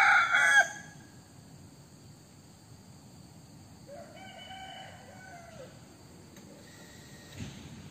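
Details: White-eared decoy junglefowl rooster: the loud tail of a harsh crow cuts off early, then a second, fainter, more distant crow answers with a drawn-out wavering call of about one and a half seconds, over constant insect-like hiss and low hum.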